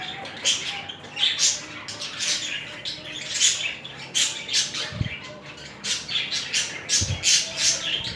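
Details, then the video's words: Pair of budgerigars during mating and courtship display, giving bursts of harsh, scratchy squawks and chirps in uneven clusters, with quieter warbling between them and a couple of soft low thumps. "تزاوج طيور الحب البادجي و حركات رومنسية بين الطائرين"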